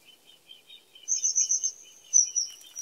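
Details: Common kingfisher: a long, high, trilling whistle held for over a second and falling slightly at the end, over a rapid, lower chattering from another bird.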